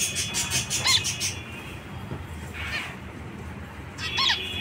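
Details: Zebra finch producing a few brief nasal beeps, a cluster near the start, then single calls spaced about one and a half seconds apart over quiet hum.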